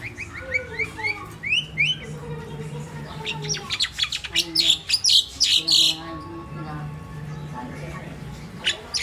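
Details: Pet crested myna kept at home in the Philippines, a mimic bird, giving a lively mix of rising whistled notes and sharp buzzy chirps in quick irregular bursts, with some harsher squawk-like notes over a steady low indoor hum.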